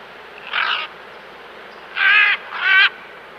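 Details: Wild Great Green Macaws feeding in Costa Rica give three harsh, raspy squawks. Each lasts about a third of a second, and the last two come in a quick pair. The background is otherwise quiet.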